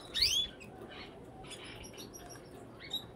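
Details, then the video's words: Brambling giving a loud, sharp chirp that sweeps steeply downward near the start, followed by softer scattered twitters and a brief high note near the end. "Brambling (Fringilla montifringilla)"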